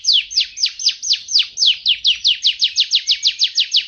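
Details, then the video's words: Bird song made of a fast, steady series of high, downward-slurred whistled notes, about five per second, strong and clear against a quiet background. "suara burung"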